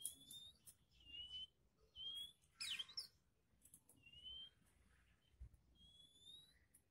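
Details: Young magpie-robin facing other birds in a mental test: a series of clean, slightly rising whistles every second or so, broken by a harsh buzzy chatter, over soft low background noise.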